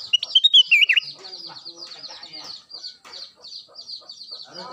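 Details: Kutilang emas, or black-crested bulbul, singing actively: one quick, loud phrase of looping whistled notes at the start, then a long run of repeated thin high chirps from other birds.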